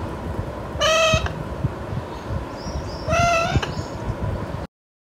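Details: Alexandrine parakeet, a young pet bird, giving two loud harsh calls about two seconds apart, each a short rasping squawk with strong harmonics, over steady background noise and faint higher chirps.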